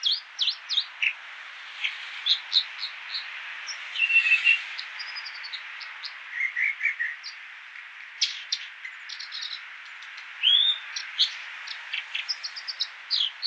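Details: Long varied song of an American dipper (water ouzel): many short high clicks and chirps in quick sequence, interspersed with lower warbling phrases and a rising whistled note, over steady background hiss of reduced road noise.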